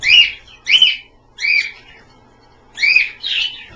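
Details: Pet Australian birds bathing in a water-filled pie pan; five clear, high chirps, each a quick rising-falling whistle, two close together, then a pause before the last pair.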